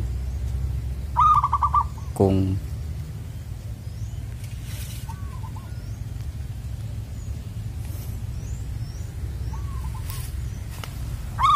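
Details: Zebra dove lured toward lime sticks, its loud "koong" voice carrying far. One short stuttering phrase of coos is followed by a sharp knock, then faint distant coo phrases over a persistent low rumble.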